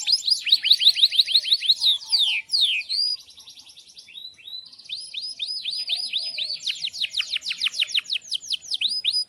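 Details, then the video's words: Canary in breeding condition singing vigorously, in the long rolling style locally called ngerol. It delivers rapid series of sharp, high descending chirps, pauses briefly, then resumes with fast repeated downsweeping notes and quick trills. "Pancingan Kenari GACOR panjang"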